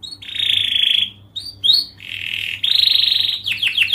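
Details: Canary song played to train young birds to sing, made of long sustained high whistled tones separated by short rising notes, ending in quick descending chips; faint low hum beneath.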